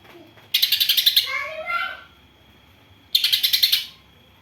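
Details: Greater green leafbird carrying house sparrow-like song filler, pitted against another bird: two bright, rapidly pulsed chatter bursts separated by a series of descending and rising slurred whistles.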